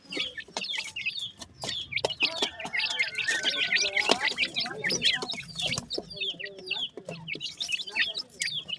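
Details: A brood of francolin chicks keeps up shrill, rapid cheeping, many short slurred notes at once, over a background of rustling and faint low sounds.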